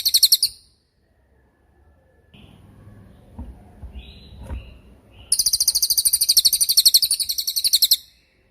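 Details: Cililin song from a long, sharp training recording for songbirds: a very high, rapid buzzy trill of about eight notes per second, heard briefly at the start, then a sustained burst of nearly three seconds after faint rustling and thumps.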